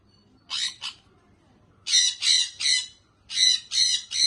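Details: A baby pet sun conure (Aratinga solstitialis) gives harsh, rasping squawks in quick bursts, some doubled, with short pauses between.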